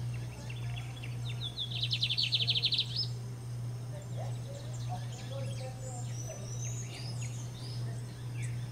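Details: Lined seedeater (Sporophila lineola) in Brazil singing hard, a fast, buzzy trill of high notes lasting about a second, among scattered chirps from other birds over a steady low hum.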